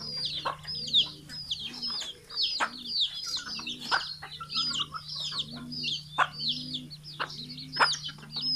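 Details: Morning flock of young and adult chickens released from their coop at feeding time in Betbari, Fulbaria, Mymensingh, October 2018; continuous shrill descending peeps in quick bursts, occasional low clucks, and a constant low electrical hum.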